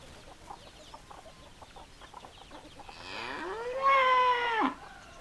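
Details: Rooster crowing: a single drawn-out harmonic crow that rises, holds level and drops off sharply, with faint clucking and scattered background noises before it.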